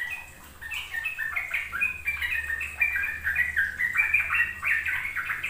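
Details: Fast ropel-style song of a sooty-headed bulbul, used to coax young birds into learning: a steady stream of short, slurred, warbling notes, slightly softer at the start, over a low background hum.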